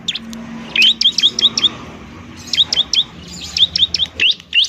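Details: Bar-winged prinia, 'semi' variety, singing noisily as therapy for birds slow to sing: evenly spaced, high, clipped chirps in three quick series separated by short pauses, over a low hum.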